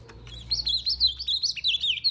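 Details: On 22 April 2020 an ultramarine grosbeak sings slowly because it is in fighting mood: a rich warble of sweet whistled notes rising and falling in quick succession, with a faint low hum underneath.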